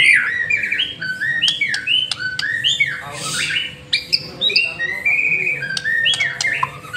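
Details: White-rumped shama in lure song: choppy sequence of short, scratchy slurred whistles and clicks, repeated in quick bursts, with a harsh noisy burst near the middle and steady low hum behind.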